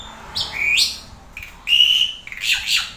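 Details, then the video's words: Asian pied starling gives loud, rich, high-pitched notes: a rising whistle, a level sustained whistle, then harsher chattering phrases. "JALAK SUREN"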